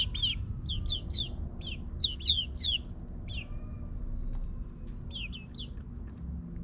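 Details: Ninth-week chicks in a suburban backyard run utter clear, falling peeps in a rapid series, pause, then resume; a low constant rumble, possibly a lawn mower, fills the background.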